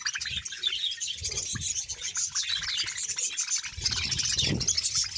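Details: Budgerigar colony of about 100 pairs in Bahawalpur, many birds chattering together in a dense, high twittering wash, with low thumps and knocks underneath.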